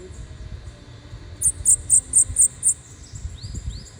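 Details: Bananaquit singing a lot: six quick, very high pulsed notes in an even row, then two faint rising slurs, over a low background rumble.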